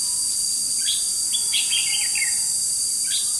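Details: Red-whiskered bulbul serving as a trapping decoy, recorded 21 July 2016: one short run of bright, tumbling whistled notes, then a lone note at the end, all under an unbroken high insect whine.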